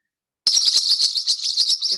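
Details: A pair of spectacled parrotlets in the Andes of Colombia gives high, buzzy, rapid chattering notes that run together in a dense twittering stream, with nothing else audible.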